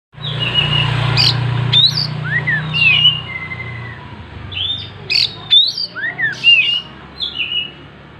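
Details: Oriental magpie-robin singing loudly while spreading its tail: varied whistled notes, sliding and slurred phrases with sharp high chips, delivered in bursts between pauses, over a steady low hum in the first half.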